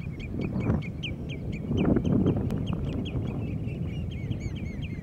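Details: Common redshank calling: rapid series of short, high piping notes with curved, slightly down-slurred shape, about four per second and irregular, over strong low rumbling background noise.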